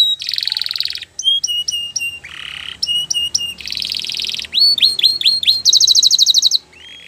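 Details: Belgian canary singing in training: dense buzzy rolls alternate with crisp paired whistles, then a series of sharply rising chips and a bright rapid trill before a short low note.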